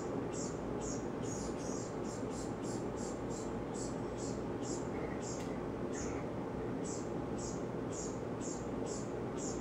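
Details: Brown-headed cowbird fledgling perched on a yard bird feeder, calling frantically to be fed by a chickadee foster parent. Thin, high chips repeat about twice a second, with a short break near the middle, over a steady low rumbling hiss.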